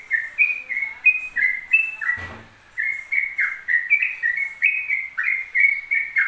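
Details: Unbroken ropel singing from a Yellow-vented bulbul: quick whistled notes stepping up and down, about three per second, interrupted briefly by a single dull knock before the song carries straight on.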